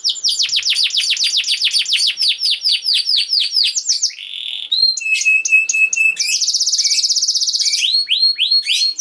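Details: Tutor song for training young canaries: a long run of quick, repeated descending whistles, then a short buzz, clipped metallic notes, a dense high trill, and final rising chirps.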